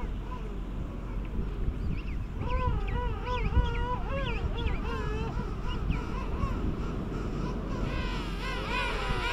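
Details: King penguin courtship and mating on South Georgia in January 2019; a long, loud trumpeting call of repeated wavering harmonic notes, followed by a second bird's call near the end, with wind noise beneath.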